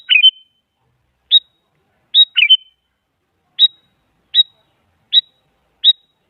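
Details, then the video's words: Sooty-headed bulbul, described as a female calling a male and used as a lure so a silent bulbul answers. Short bright chirping notes, about eight in six seconds at uneven gaps, some doubled with a quick downward slur, over a clean, quiet background. "Suara Burung Kutilang Selalu Dicari Buat Pancingan Jadikan Kutilang Diam Ikut Nyaut"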